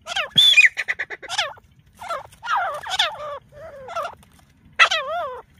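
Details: Grey francolins in a fight give a quick volley of sharp, clipped notes, then longer warbling, wavering calls that rise and fall, ending in a loud harsh wavy burst.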